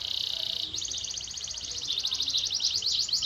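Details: Canary song at moderate volume: a sustained high rapid trill changing to a faster rattling tour, continuous for three seconds over faint background hiss.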